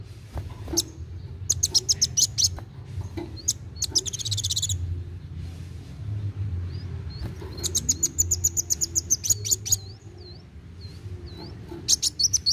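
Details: Fast narung song of a chatty kolibri wulung sunbird, aimed at stimulating young birds to sing: runs of high rapid ticks, a buzzy burst, and a series of short up-and-down whistled notes, over a low hum.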